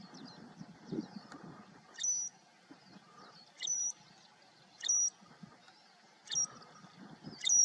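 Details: Southern grey shrike (Lanius meridionalis koenigi), Iberian grey shrike, on the El Jable plain, Lanzarote, in December 2019, giving short, high, squeaky notes with a thin level whistled tail, repeated every one to two seconds over a faint low rumble.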